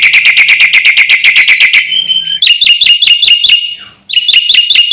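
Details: Loud Black-winged myna song, described as stirring up other birds: a quick buzzy trill, then crisp rising whistled notes repeated in a steady rhythm, briefly broken by a short gap.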